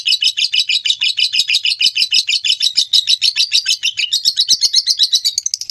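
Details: Lovebird ngekek for bird training: a rapid chattering of paired high notes, slightly uneven in spacing, speeding into a quicker trill near the end.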